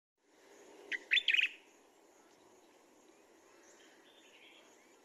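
A Common Bulbul gives one quick, bubbly phrase of three or four chirpy notes, bright and mid-high, over a soft steady background hiss.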